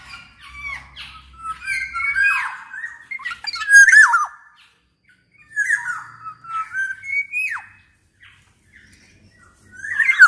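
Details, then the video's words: Black-naped oriole in vigorous song to encourage other orioles to join in: mellow whistles interleaved with harsh squawks in phrases with brief pauses, low hum at the start. "KEPODANG EMAS GACOR || SUARA BURUNG KEPODANG COCOK BUAT MASTERAN DAN PANCINGAN KEPODANG AGAR BUNYI"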